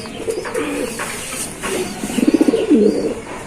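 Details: Giribaz pigeon making a soft, low, pulsing coo that builds into a rapid rolling burble near the end, over faint background noise.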